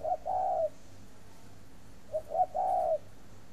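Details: Spotted dove from a dove farm near Hanoi, Vietnam, a breeding bird, delivers two soft coo phrases: short clipped opening notes followed by a longer smooth low note, with a quiet pause between them.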